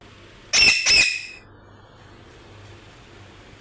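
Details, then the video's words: Parrot giving two harsh, squawking calls in quick succession, each a broad buzzy burst with stacked harmonics, followed by quiet room background. "Parrot making noise||parrot real sounds"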